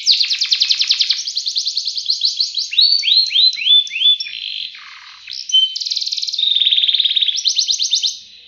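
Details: Canary singing a long, continuous ngerek ngacor style song: fast buzzy rolling trills, then a run of rising slurred notes, a low dip, and more rapid repeated trill bursts, all high-pitched and without background noise.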